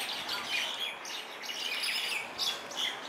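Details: Common mynas, introduced birds, wrestling on a hotel lawn on the Big Island of Hawai'i: harsh, scratchy chattering calls overlapping in a continuous jumble of rasping notes.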